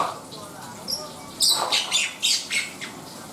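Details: Black-winged myna singing. After a quiet start come a few loud, harsh notes mixed with thin, high whistles, spaced about a third of a second apart.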